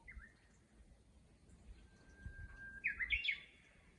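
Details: Countryside Japanese bush warbler, one of a chorus, gives a held, even whistle that breaks into a rapid rising-and-falling warbled phrase. A brief earlier note and soft low background noise are also heard.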